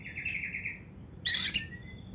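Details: Oriental magpie-robin giving a wavering buzzy whistle, then after a pause a short loud burst of harsh, layered chattering notes trailing into a thin whistle. Quiet overall, with a low background hum.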